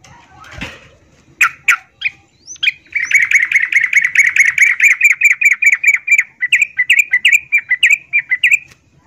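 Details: Breeding-condition female yellow-vented bulbul calling a male, used as a lure to get reluctant males singing; a few sharp notes, then a long loud rapid chatter of repeated chirps, ending in slurred, slightly rising notes.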